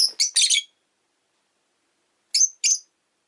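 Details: Pet rosy-faced lovebird on a quiet afternoon chirps in a quick burst of three shrill notes, then a pause, then a pair of sharp squeaky chirps.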